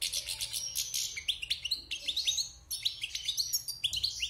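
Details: Caged wild European goldfinch, out of its moult after six months in captivity, delivers a dense, fast song: liquid rising twitters and ringing chirps strung together almost without pause.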